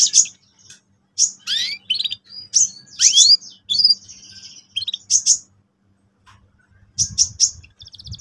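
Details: Canary song used for training young birds: short bursts of high chirps and sweeping whistled notes separated by pauses, with a faint rattling trill near the end.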